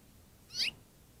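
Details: On a cold winter day, 27 January 2023, a house finch at an iced-over pond complains loudly with a single short, bright chirp that slides downward, then flies off. Faint background hiss.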